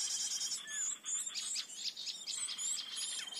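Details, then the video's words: Flycatcher, a pretty blue-headed bird, in a forest lure recording: rapid, high, thin chirps and short trills tumbling over one another with no steady rhythm, over a faint steady high hiss. "Pikat Burung Sikatan"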